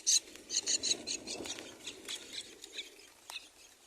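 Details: Four myna chicks in a nest beg during feeding, giving short bursts of high, harsh chirps in quick clusters early on, then fainter scattered cheeps over a soft rustling background.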